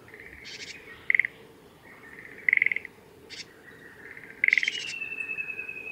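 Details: Japanese tit at Kitafuji training area, Japan, 20 May 2018, giving contact calls while bathing: short, high, buzzy call notes in clusters about every one and a half seconds, over a faint steady background hum.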